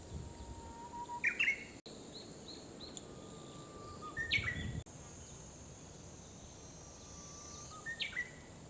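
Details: Japanese bush warbler in early summer, singing its practiced song twice or more: each phrase is a long, low, level whistle ending in an abrupt, rising and falling flourish. Steady high insect-like hiss and distant bird chirps run throughout.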